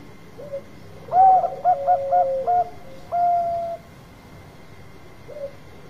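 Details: Zebra dove lure song: a soft opening coo, then a series of short pulsed coos and a long level mellow note, over a steady background hum.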